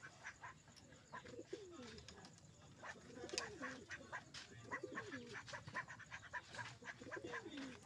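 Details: Domestic pigeon after laying eggs, giving repeated low cooing phrases with wavering, bending notes every second or so, over a noisy background with faint clicks.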